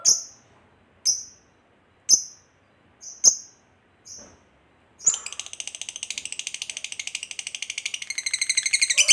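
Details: Fighter lovebird giving a long ngekek trill meant to provoke another lovebird: a few sharp, high single chirps about a second apart, then a fast, dense, buzzy trill of rapid repeated notes running to the end.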